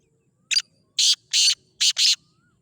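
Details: Male black francolin calling: five loud, harsh, high-pitched grating notes, a short opening note then four longer ones, the last two nearly joined, in otherwise quiet surroundings.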